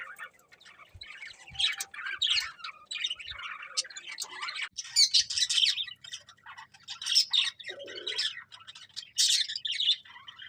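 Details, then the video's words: Budgerigars chirping in bursts of high, twittering warble and sharp squeaks, separated by short quieter gaps, with faint clicks in the background. "Cute Budgies Chirping Sounds"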